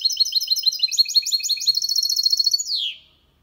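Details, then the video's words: Song of a goldfinch and canary hybrid, sung cleanly without errors and recorded in 2022: continuous fast twittering of paired high notes, then a long downward-sliding whistle closes the phrase. "Mixto de Jilguero Cantando Limpio"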